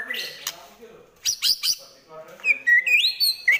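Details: White-rumped shama singing trotol style in fighting mood: harsh scratchy notes and three sharp bursts, then a bright whistled phrase that rises in steps and ends with a clipped note.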